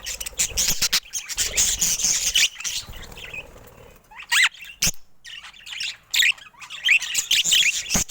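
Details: Colorful pet budgerigars chattering in bursts of scratchy, buzzy warbles and sharp squawks, broken by short silent gaps and a few sudden clicks near the middle and end.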